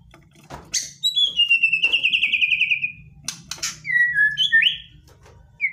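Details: White-rumped shama singing aggressively, full of rapid-fire phrases meant to provoke a reply from another shama; a long descending whistled trill, then clipped chirps and short upslurred whistles.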